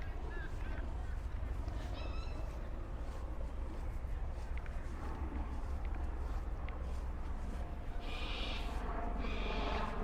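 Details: Cockatoos in Sydney's Royal Botanic Gardens near the harbour give two harsh, grating screeches near the end, under a steady low rumble of wind and a person talking.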